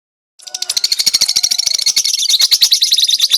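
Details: Lovebird song used as a training recording, from a bird that nods its head while singing: rapid, shrill chirps start after a short silence and repeat about three times a second in a steady chattering stream.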